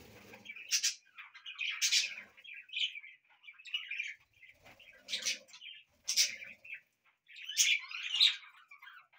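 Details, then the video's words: Several pet budgies singing in a house give a continuous scratchy, buzzy warble, punctuated roughly every two seconds by loud harsh screeches. "Budgies Singing"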